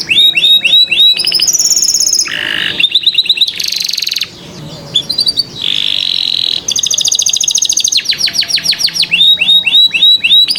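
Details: Canary song meant to teach young canaries: varied tours of fast repeated downslurred notes, about three per second, alternating with buzzy drawn-out phrases and short pauses, all high and clear.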